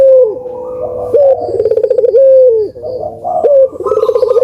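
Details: Cooing puter doves, meant as a lure for birds that rarely call: low rolling purrs broken by swooping rising-falling coos, several voices overlapping in a nearly unbroken stream.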